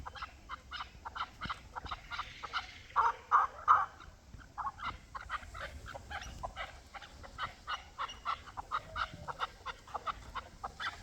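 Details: Hybrid and local chukar partridges in a dense chorus: rapid, scratchy chuck notes tumbling over one another, with a few louder clipped notes near the middle.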